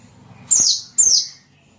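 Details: Small bird lure call: two sharp, high, downslurred squeaky notes about half a second apart, over a quiet low hum.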